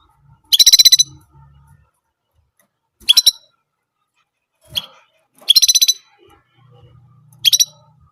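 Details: Singing orange German canary delivering one type of sound over and over: rapid, rattling high trills, some long and some clipped short, five bursts in eight seconds, with a faint low hum in the gaps.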